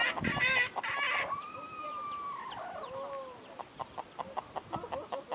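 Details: Decoy red junglefowl used to lure wild junglefowl at Sông Mã, Sơn La, Vietnam, 2019: a loud burst opens, then a long drawn tonal crow lasts about two seconds, followed by soft quick clucking notes.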